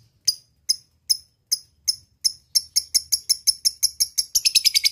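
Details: Lovebird ngekek lure for calling a rival: widely spaced thin, high chirps that speed up steadily into a rapid, dense chatter by the end.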